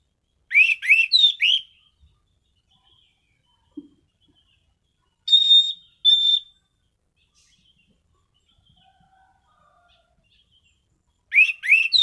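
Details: Orange-headed thrush kept as a caged songbird, singing loud rising whistled notes in short bursts, with a thinner high whistle in the middle and a repeat of the rising phrase at the end.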